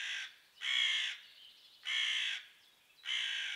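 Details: Four loud, grating caws, about one a second with quieter gaps, from crows mobbing a pine marten and pelting her with twigs until she runs for cover.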